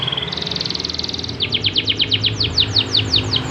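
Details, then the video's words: Energetic canary song for getting less diligent canaries to sing: a brief whistle, a fast even rattle, then a series of loud falling swept notes repeated about five times a second. "pancingan kenari gacor buat burung kenari yg kurang rajin gacor"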